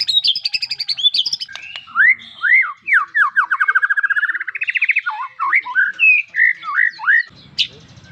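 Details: White-rumped shama singing a varied song: clear rising and falling whistled notes, a fast trilled run that climbs in pitch, then more looping whistles, ending with a sharp click and a low rough noise.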